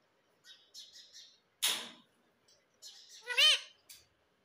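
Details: Rose-ringed parakeet kept as a pet and trained to talk gives soft high chirps, a sharp noisy burst, then a clear harmonic, rise-and-fall spoken-sounding note with a short squeak after.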